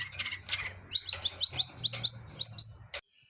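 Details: Wild cendet blangkon long-tailed shrike in full-fill song: a run of quick, squeaky, rising-and-falling high notes, softer scratchy sounds first, steady low hum behind.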